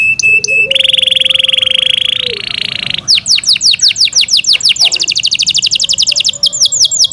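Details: Pet Yorkshire canary: a long rolling buzzy trill held for two seconds, then a fast accelerating series of crisp descending chirps, loud and near.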